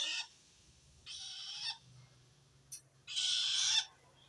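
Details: Strange call of a long-tailed shrike directed at wild shrikes, meaning it feels threatened by another shrike: three scratchy rasping bursts with pauses between, over a faint low hum and a brief tick.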